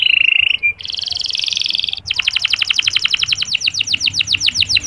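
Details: Canary singing softly, a clear long chirping used to encourage sluggish male canaries to sing: a steady whistled note, a buzzy rattling phrase, then a fast run of repeated high descending chirps.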